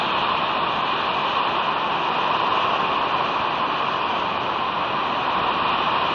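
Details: Only a constant broadband hiss, like static or a distant rushing sound, is heard, without any animal calls.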